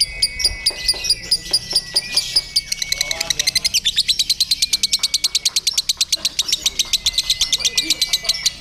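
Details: Lovebird at a singing contest, hung up with a hired handler, pouring out a ngekek: a long, fast series of scratchy chattering pulses that tightens and speeds up midway, with thin whistles from other birds.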